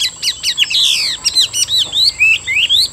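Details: A caged Chinese hwamei, praised as a fine singer with a stout body and roach-brown wings and tail, delivers loud, clear whistled phrases: quick high slurred notes, rising and falling sweeps, and a few squawky accents in rapid succession.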